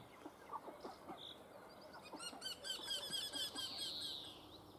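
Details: Eurasian wryneck giving a quick run of about nine nasal, evenly spaced notes over two seconds, each with a ringing upper harmonic. Earlier scattered chirps and a higher hissing trill from other birds sit in the background.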